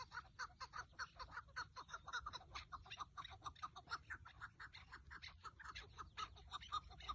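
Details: Partridge recorded while hunting with a decoy partridge on 30 March 2024: evenly spaced, grating chuck notes in a sustained series, with faint low noise underneath.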